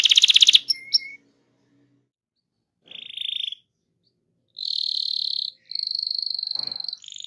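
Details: Canary rolling song meant to prompt other canaries to sing: short bursts of high trilled and buzzy phrases separated by silent gaps, including sustained rolling notes around the middle and end.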